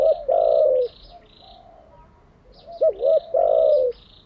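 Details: Mellow spotted dove coos for training captive doves: a long sliding coo, a pause, then a wavering double note and another falling coo. Busy high chirping from other birds runs throughout.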